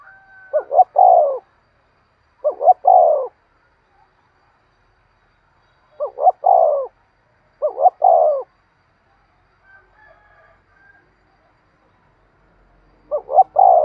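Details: Spotted dove cooing 'thúc sung' style for training lure birds: five phrases at uneven intervals, each a quick double rising note and a long falling coo, with faint soft sounds in one longer pause.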